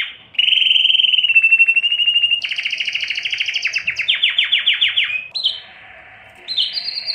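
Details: Canary in breeding excitement singing a chain of fast rolls, from a steady mid-pitched trill to higher buzzy tours and descending sweeps, briefly quieter near the end before a high trill resumes.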